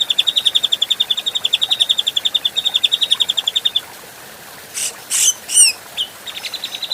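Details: Adult grey-cheeked bulbul in a clean training master: a long, rapid rattling trill lasting about four seconds, then harsh rasps, a wavering note and a brief chip series.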